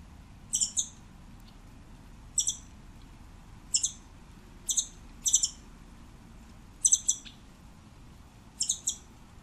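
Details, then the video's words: Scimitar-billed woodcreeper song of crisp, high double notes, each pair repeated roughly every one and a half seconds, loud and clean against a quiet backdrop. "Canto del Trepatroncos Chinchero"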